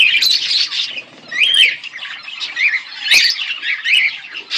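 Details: A pet pair of budgerigars chirping: busy, scratchy warbles and squawky chatter in short bursts, with pauses around one and three seconds and a sharp broadband click near the three-second mark.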